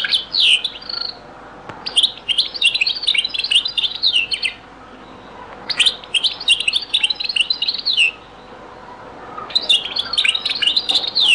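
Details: European goldfinch in a very old recording of Beni Messous les avocats (zaboka) style song: three long bursts of rapid tinkling twitter, each about two to three seconds long, separated by short quiet gaps.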